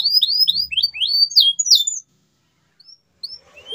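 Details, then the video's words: Canary song to prompt quiet canaries to sing: a two-second burst of rising and falling whistled notes, then near silence with a few faint chirps. "CUITAN KENARI 100% GACOR PERANGSANG KENARI BISU AGAR KEMBALI GACOR"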